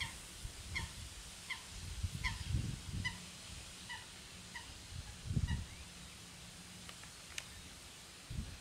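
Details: Eurasian coot in the La Mancha wetlands of Tablas de Daimiel and Villarrubia, Spain: a steady run of about a dozen brief, abrupt notes spaced roughly 0.7 seconds apart, with deep rumbling wind noise beneath.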